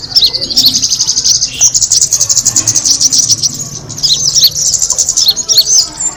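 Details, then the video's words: Kemade bird lure sound: a dense, high-pitched chattering chorus that eases off for a moment midway, then resumes at full strength over a faint low hum. "the sound of the kemade bird attracting noise"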